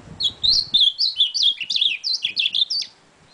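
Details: Ultramarine grosbeak (azulão) singing a warbled phrase of about a dozen quick, slurred notes rising and falling, each with a clear whistled tone, delivered steadily in a small indoor space.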